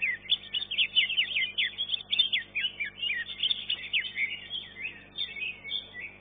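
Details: Greater green leafbird (cucak ijo) in a singing contest, pouring out a fast, energetic medley of whistles, trills and chattering notes that grows slightly softer after the fourth second.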